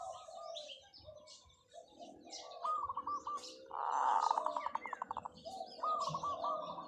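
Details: Decoy zebra dove in long calling: soft rippling coos, then a loud swelling note breaking into a fast train of pulsed staccato beats, followed by more rolling coos, with faint chirping of other birds above.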